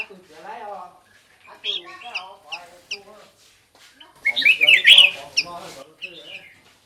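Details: Black-crested bulbul singing on a lure track. Lower chattering, harmonic notes run underneath before a loud, fast, warbling phrase of bright zigzagging whistles rises above them.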